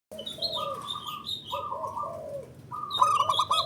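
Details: Male zebra dove from Indonesia, local perkutut, calls used as a lure to get birds answering each other: low trilled coos that rise and fall, with higher whistles and sharp chirps layered on top from other birds.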